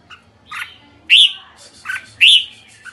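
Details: Red-whiskered bulbul alternating a harsh, buzzy note with a loud, clear upslurred whistle, the pair repeated twice.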